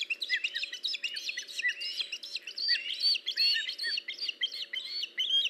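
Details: Osprey at a nest on 21 August 2019, as an adult brings a fish: dense, overlapping whistled chirps with rapid up- and down-slurred notes, sounding continuously through the whole stretch with a faint low hum beneath.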